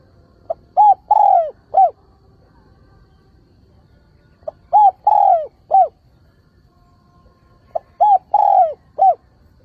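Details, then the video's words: Spotted dove used as a decoy to attract and excite wild birds, recorded without background noise. Three repeated four-part cooing phrases, a soft pip leading into short, long sliding and short mellow coos, roughly three seconds apart. "chim cu gáy mồi, chim cu gáy gọi chuẩn, gáy gọi không tạp âm, tiếng chim cu gáy mồi hay"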